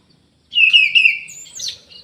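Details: Single short phrase from an aviary-kept Orange-headed thrush: a clear, slightly wavering whistle followed by a quick, high, squeaky flourish.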